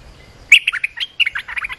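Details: Olive-winged bulbul giving two rapid, chattering phrases of liquid notes back to back, a call for tutoring young birds and luring wild birds.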